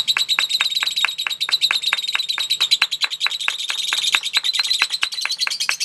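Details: Lovebird in a singing contest performing long ngekek chatter, a fast unbroken series of ringing chirps, roughly five per second, layered over a steady high metallic twitter.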